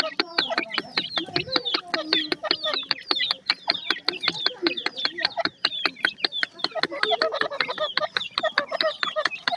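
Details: Grey francolin (teetar) chicks giving a dense chorus of short, high chirps and peeps from several birds at once, overlapping quickly with no steady rhythm.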